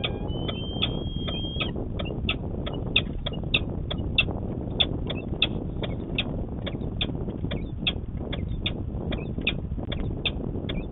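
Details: Peregrine falcon calling during morning courtship in Manchester, New Hampshire, on 25 March 2020: a fast, steady run of short sharp chipping notes with one drawn-out whine at the start, over a constant low rumble of traffic.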